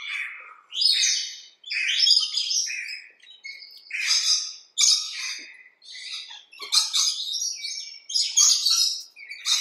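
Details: Rainbow lorikeets recorded in a backyard: harsh, shrill screeching and chattering in dense, grating bursts that overlap and run together, broken by brief pauses every one to two seconds; no other sounds stand out.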